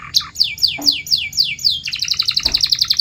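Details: Canary training song for stimulating canaries to sing: a run of loud, descending whistled sweeps about four per second, then a rapid, even high trill.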